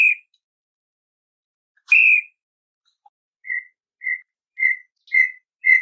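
A Brown tinamou gives pure, mellow whistles: two longer notes, then a steady run of short whistles about every half second, slightly quickening. Nothing else is heard.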